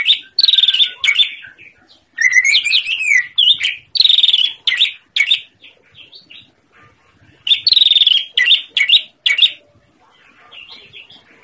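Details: Greater green leafbird (cucak ijo) singing vigorously, used to prompt silent birds to answer: loud, varied whistled and chattering phrases with slurred rising notes and buzzy bursts, delivered in separate bursts with short silent gaps.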